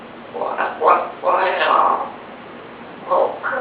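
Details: Grey parrot at lunch, refusing purple yam and repeatedly saying a Chinese phrase asking how to eat it; several short speech-like bursts in a clear mid-pitched voice, with a pause before the final phrases.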